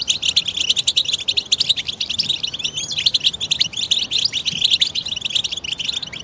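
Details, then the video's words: Several European goldfinches in chorus, meant to encourage silent goldfinches to sing: rapid overlapping twitters, liquid chirps and short buzzy notes pouring out in a busy, unbroken stream. "بتبتة جماعية فتاكة وفعالة في علاج صمت وسكوت الحسون سيغرد حسونك بقوة بعد سماعها"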